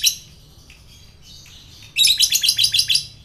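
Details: Lovebird kept as a pet, sound used to provoke fighter lovebirds into chattering: a few faint high twitters, then a rapid, loud series of buzzy chattering notes.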